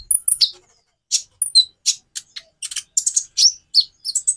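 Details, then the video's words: Konin sunbird delivering a lively, high-pitched twittering song of sharp chips and thin whistles, speeding into dense bursts over a few seconds. "Variasi kicau burung Konin bikin burung lain gacor"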